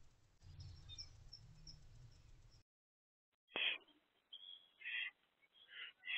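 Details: Three owlets inside a nest box on 13 April 2024, between early morning and midday: after a stretch of faint hiss and a short silence, harsh raspy hissing screeches come in bursts, each under a second long.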